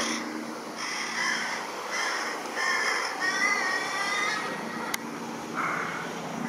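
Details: Carrion crow family by a river in Japan in mid-June 2016, a hungry fledgling begging from the parent; a run of raspy, drawn-out caws about once a second, then a pause and one more, with a sharp click and steady background noise.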